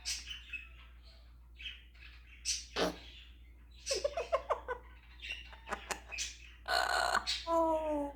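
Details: African grey parrot showing off imitations of sounds such as snoring, a dog, a cat and a rooster: rapid clicks and pops, raspy bursts, chirps, and a falling meow-like note at the end.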